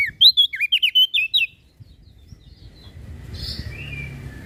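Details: Lombok prinia and crested darkeye masteran for cage bird training: a quick string of about nine sharp whistled chips, followed by quiet with soft background noise.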